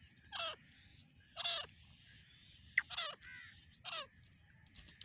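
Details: Calls of a female grey francolin, known locally as teetar: four loud, grating notes, each sliding down in pitch, spaced roughly a second apart over a faint steady hiss.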